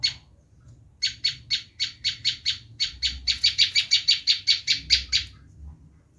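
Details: Harsh screaming call of a Bar-winged prinia, used as a lure for wild birds of its kind. After a second of quiet, about twenty rasping, buzzy notes follow in an accelerating, insistent series, then stop abruptly.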